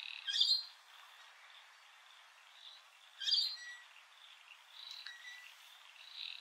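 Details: Rainbow lorikeets at Heatherdale Wetlands: two short, harsh, screechy bursts about three seconds apart, with faint chattering calls between them over quiet background noise.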